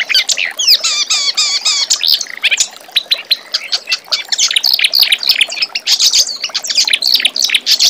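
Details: A reed warbler sings as master song for young magpie-robins, opening with a rhythmic series of repeated wavering whistles, then shifting into fast scratchy chattering and squeaks.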